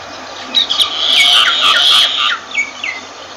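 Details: Harsh, grating squawk held for over a second from a myna, then a few separate sliding whistled notes.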